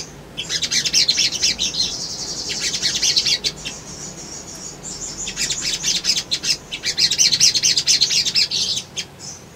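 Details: A sunbird (sogon) in full song, used as a lure: very high, thin, rapid twittering in long excited bursts with brief pauses, sharp ticking notes running through.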